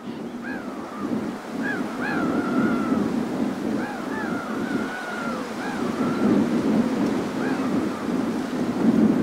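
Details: A feeding whimbrel in the Gulf of Morbihan, France, on 2 August 2022, gives short, arched whistled notes in scattered bursts, a few drawn out and level, over loud rolling surf and wind.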